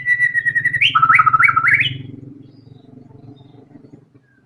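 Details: A white-rumped shama in full voice delivering its learned fill phrases. A sustained whistle breaks into a fast, bouncing series of clear notes rising to a high ending, over a steady low mechanical hum that fades afterward.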